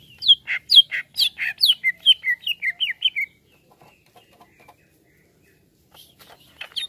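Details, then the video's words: Greater green leafbird reacting to a played sound: a fast series of about fourteen sharp, downslurred whistled notes over three seconds, then near silence with a few faint clicks and a brief return of notes. "CUCAK IJO LANGSUNG BEREAKSI DENGAR SUARA INI"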